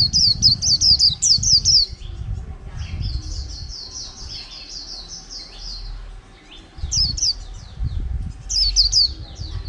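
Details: Caged white-eye, a prized wild-caught bird kept over a month, singing in the líu style: bursts of rapid, high, sharply slurred chirps alternating with softer runs of repeated notes, with low background rumble between phrases.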